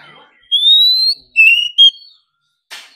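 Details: Oriental magpie-robin in competition singing, said to sing hard all day: a long, pure whistle slowly rising, then a shorter whistled phrase with a bright upturned note, followed by a brief scratchy click.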